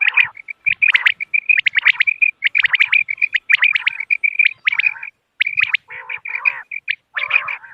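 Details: Common quail calling, used as a hunting lure on moonlit nights: an almost continuous stream of rapid, high, chirping notes, later broken by several lower, nasal, buzzy bursts.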